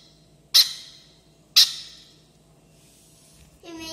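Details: Baby pineapple conure, twenty days old, being fed formula, gives two loud harsh rasping squawks a second apart, followed by a brief buzzy tonal sound at the end.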